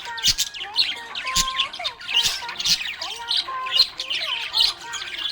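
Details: Happy pet budgerigars chatter continuously in a busy, scratchy warble of high chirps, squawks and short whistled notes, several birds overlapping with no pause.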